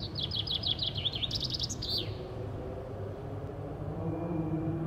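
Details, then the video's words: Common chaffinch, cleaning and singing, sings one bright, cascading two-second phrase of quick repeated notes speeding downhill into a final flourish, followed by a steady low background rumble. "Fringilla coelebs / Common chaffinch : cleaning & singing"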